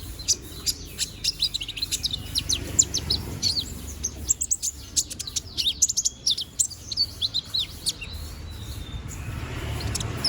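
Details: Konin bird growing new feathers sings almost nonstop, a dense chatter of high, sharp chirps and brief twittering slurs repeated in quick succession across the whole stretch, over a low background rumble.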